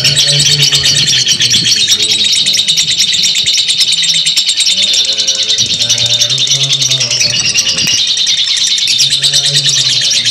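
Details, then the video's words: Continuous high, fast rattling chatter in the ngekek style of a lovebird, dense and scratchy, laid over steady low droning tones. "simuasi lovebird ngekek panjang"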